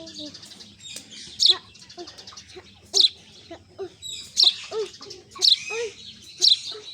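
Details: Golden sparrows giving natural bright, sharp chirps in short bursts, roughly one a second, with softer chatter between.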